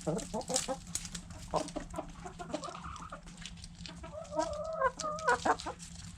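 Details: Backyard hens and roosters eating food scraps: rapid irregular clucks early, then longer rising and falling harmonic calls in the later seconds, amid pecking clicks.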